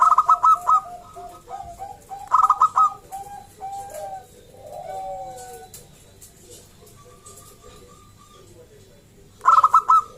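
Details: Local zebra dove, a strong singer used to lure other zebra doves into singing; loud stuttering bursts of rapid clear coo notes open and close the stretch, with softer drawn-out coos and quiet sliding notes between.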